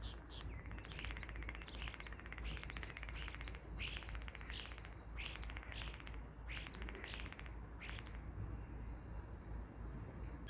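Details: Common starling giving dense rattling, buzzy bursts of clicks and chatter in quick clusters over a steady low background rumble.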